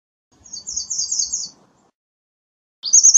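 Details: American redstart singing a high, thin phrase of rapid repeated notes lasting about a second, followed by the start of another phrase; otherwise quiet.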